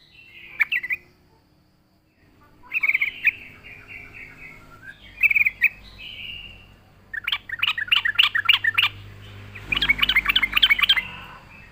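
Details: Yellow-vented bulbul in full song, used as a lure for wild birds: scattered chirps and warbled phrases build into rapid, pulsing chatter near the end, over a faint low hum.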